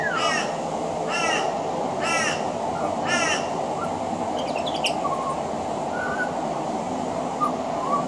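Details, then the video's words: Pied butcherbird on a veranda working mimicry of other Australian birds into its song: four harsh, rasping calls about a second apart, followed by scattered short whistles and a few clicks, over a steady drone. "Mimicry of the pied butcherbird"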